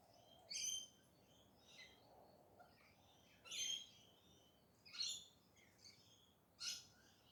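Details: Pink parrots (galahs) at early morning in urban Perth, Western Australia, giving short, rasping screeches about every one to one and a half seconds, some louder, some fainter, over a steady low background hiss.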